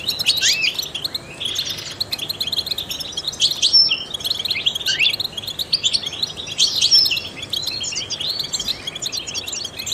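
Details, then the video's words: European goldfinch, trained songster, delivering bursts of bright twittering and chirping notes with short pauses, a few thin whistled accents standing out above the chatter. "in the wild goldfinches chirp to stimulate songbirds"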